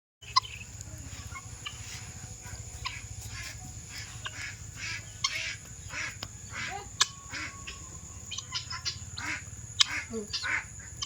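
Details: Male helmeted guineafowl gives harsh, repeated grating calls over a steady low hum.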